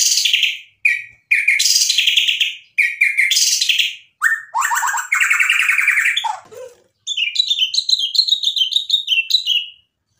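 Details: White-rumped shama singing hard to provoke a rival: loud bursts of harsh, noisy chatter separated by short silences, a descending slurred note, then a long series of quick high twittering notes.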